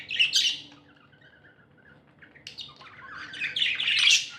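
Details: Pet budgerigars, described as happy, chirping: a burst of scratchy, warbling chirps opens, softer chattering notes follow through a quieter middle stretch, then a louder, dense run of warbled twitters builds toward the end.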